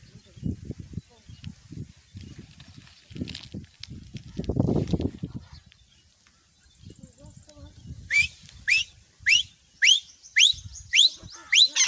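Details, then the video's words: Low human speech and handling noises fill the first eight seconds, then a grey francolin, or teetar, starts calling with loud, sharp upswept notes repeated about twice a second. "teetar voice || grey francolin"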